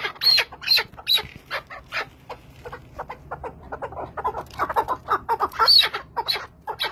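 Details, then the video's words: Chukar partridge in the Zagros, giving a fast run of short, harsh clucking chuk notes, about two a second, with a few higher squeaky accents mixed in and uneven spacing throughout. "Keklik sesi Zagros"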